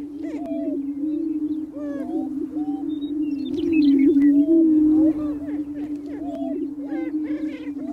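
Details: Booming ground of greater prairie chickens, males displaying for mates on North American prairie in spring: sustained low hoot swelling louder midway, with scattered bright cackles and whoops from multiple birds.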